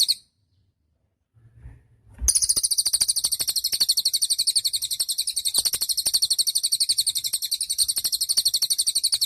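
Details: Cililin singing a long, unbroken high trill of rapid, evenly repeated notes for about seven seconds after a short silence and faint low thumps; a recording intended for training songbirds.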